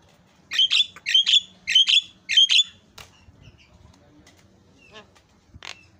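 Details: Javan myna in full song, delivering four loud harmonic chattering notes about 0.6 seconds apart, followed by softer scattered chips and one final sharp note.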